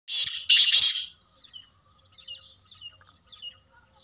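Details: Black francolin, locally called kala tetar, giving a loud harsh grating burst of two rasping notes in the first second, followed by faint scattered high chirps.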